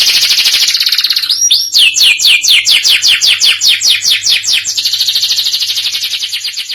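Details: A canary singing hard in the present-day cengkok style: a fast high rolling trill, a rising slur, then evenly spaced falling sweeps repeated about four times a second, closing on another rapid buzzing roll.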